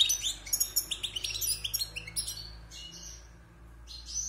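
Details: Six months caged and just past its moult, a wild European goldfinch pours out a fast, rhythmic chain of high tinkling chirps, easing into a few softer scattered notes.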